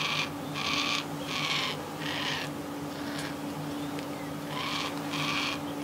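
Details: Young yellow-tailed black cockatoo begging for food near its parents, outside a house window: harsh, rasping calls, each about half a second, repeated roughly every second over a steady low hum.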